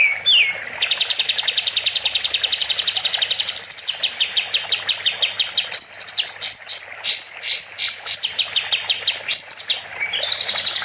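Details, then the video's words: Kapas tembak bulbul in full master song for training other songbirds: a long rapid trill of high chirps, then a series of loud upswept whistled notes with a few trilled bursts between. "Kapas tembak gacor || Masteran burung"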